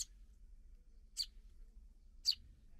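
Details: Recently fledged sparrows fed by parent birds outside the nest; three brief, sharp high chirps spaced about a second apart over quiet low background hum.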